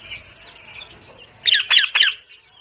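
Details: Parrot giving three loud, harsh, broadband squawks in quick succession after a quiet stretch of soft background chatter.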